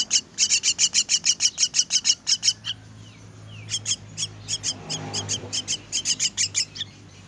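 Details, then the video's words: Myna chicks at feeding time: a fast string of harsh, high begging rasps, then a short lull before softer, more uneven calls start again, over a faint low hum. "Feeding myna's chicks"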